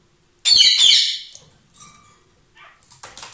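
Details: A lovebird pair, perhaps exchanging food, gives one intense, raspy screech lasting about half a second. Softer scratchy notes and thin chirps follow.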